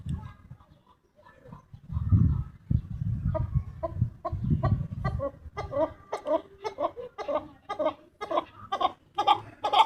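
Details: A chukar partridge's calls build into a rhythmic series of harsh, clucking notes roughly twice a second. Low rumbling noise fills the start of the recording.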